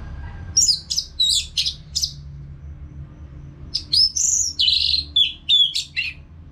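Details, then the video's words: Orange-headed thrush kept in a cage, singing continuously; a series of quick, high, chattering notes, a brief gap, then a louder run of varied whistles and trills in rapid succession. "ANIS MERAH GACOR TIADA HENTI TANPA NGETEM"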